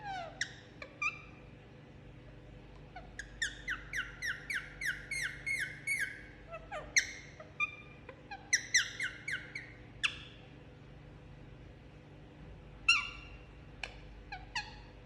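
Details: Indian ringneck parakeet, a pet enjoying a head massage, chattering in rapid series of short harmonic chirps in bursts, with pauses and a few longer notes, over a faint steady hum.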